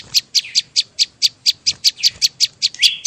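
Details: Bar-winged prinia lure recording for attracting and catching birds: a steady run of sharp, high chipping notes, about five per second, each note clipped and evenly spaced over a quiet background.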